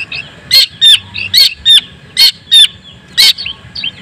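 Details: Long-tailed shrike, white-breasted Madura type, singing to provoke other shrikes: loud, evenly spaced harsh notes, each with a slurred whistled tail, about seven in four seconds, softer chirps between, background otherwise quiet.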